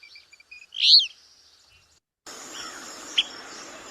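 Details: An Alder Flycatcher, a bird of alders and willows in wet areas, gives its call, a single sharp, high pip, with faint thin tones around it; after a pause, a steady hiss of background noise follows.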